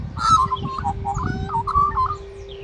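An Australian magpie gives a run of fluty, gurgling warbled notes that slide and bend in mid pitch, over a steady low hum and background rumble.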